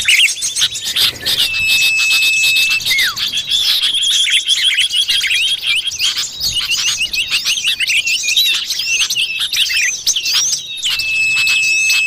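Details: Common iora in the wild, a lure sound to attract forest birds: long level whistles open and close the passage, with a falling note early on, all over a loud, packed chorus of high chirps.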